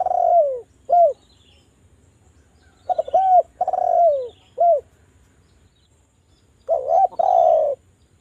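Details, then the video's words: Javan spotted dove lure call: mellow low coos in broken phrases, a falling note and short arched coos, a gap, then another phrase ending in a rolling note, with quiet background. "DERKUKU JAWA Suara merdu TAJAM, pancingan agar BUNYI jadikan burung DERKUKU BUNYI GACOR NGALAS"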